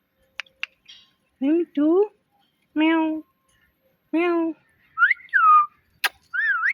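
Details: Pet talking parrot mimicking words in a sweet voice: clicks, then four drawn-out, harmonic, speech-like syllables with a low voiced tone, followed by bright rising and falling whistled notes near the end.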